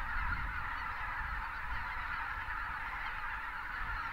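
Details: Thousands of greater white-fronted geese calling in winter in South Texas south of Uvalde as pelicans take off and join them; a dense, continuous chorus of overlapping honks with low rumbling noise beneath.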